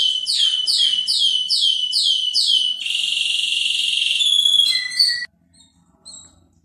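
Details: Canary song meant to make a quiet canary sing: six loud downward-sweeping notes repeated about twice a second, then a dense sustained buzzy trill, a few clipped whistles, and a fade to near silence.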